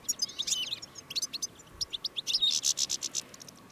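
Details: Caged European goldfinch calling to wild goldfinches among thistles: faint, high, twittering chirps in quick bursts over a steady background hiss.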